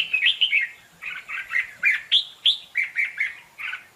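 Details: Red-whiskered bulbul in a singing contest, kept as a decoy bird for trapping; loud, rapid phrases of warbling, slurred whistles around mid-high pitch, delivered in quick bursts of two to four notes with short pauses between.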